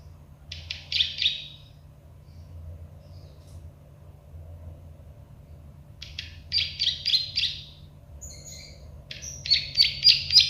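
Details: Plain prinia, known as prenjak sawah or klik-klik, on a tutor recording for songbirds: quieter short bursts of dry, buzzy high notes separated by long pauses, ending in a brisk rapid series.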